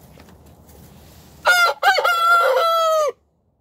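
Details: Rooster crowing in the morning, a loud harsh cock-a-doodle-doo of about 1.7 seconds: a short opening note, then longer strained syllables ending in a steady held tone that drops away at the close; quiet background before.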